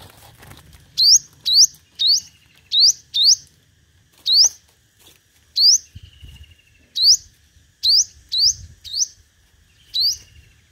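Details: Five-coloured sunbird decoy in competitive singing. Sharp rising upswept notes come in loose clusters with irregular pauses, along with a few clicks and soft rustling.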